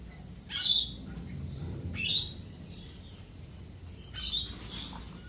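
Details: Australian galah giving three loud, harsh, broadband screeches spaced about one and a half to two seconds apart, over a low background rumble.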